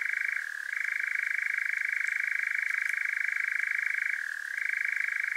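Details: European nightjar recorded at night in Devon, South West UK, with a parabolic microphone and Zoom H5: a loud, continuous mechanical churr held at one steady pitch, briefly dropping lower twice, over a quiet background.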